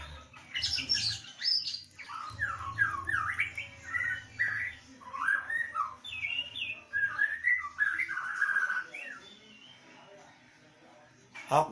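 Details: Lockdown-era white-rumped shama in full song: a long, varied run of rich whistled phrases, sliding up and down and ending in a sharp burst, over a steady low hum and brief background noise.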